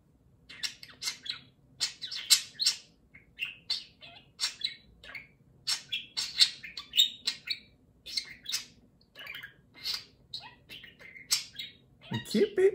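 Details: Caged pet budgerigar in a home, chattering and talking while its companion budgerigar grooms it; continuous stream of rapid, varied scratchy chirps, warbles and clicks, with a brief low thump at the end.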